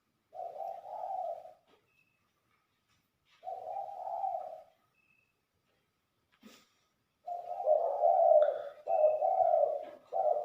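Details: Spotted dove used as a lure bird in Liwa, West Lampung, giving low, mellow, throaty coos, then a longer run of stronger rolling coos after a gap, in a quiet setting.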